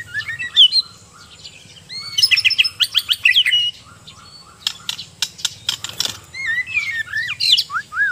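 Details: Singing white-rumped shama, Sabah Borneo type, being trained, gives bursts of bright high chirps and whistled slurs separated by short pauses, with sharp clicking notes and a faint low droning hum.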